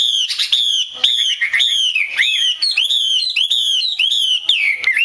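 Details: Chinese hwamei hen uttering 'te' notes for stimulating males to sing: loud, ringing, arched whistled notes repeated about twice a second, each bending up then down, bright and piercing.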